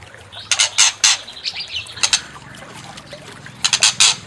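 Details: White-rumped shama, used to provoke another bird into singing its full repertoire: a series of short, harsh, broadband chattering notes in clusters, with a quiet pause in the middle and a low hum underneath.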